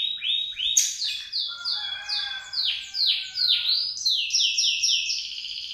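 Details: Canary singing after moulting while learning its song again: a lively string of quick, downward-swooping whistled notes at varying pitches, repeated steadily with a few buzzy undertones.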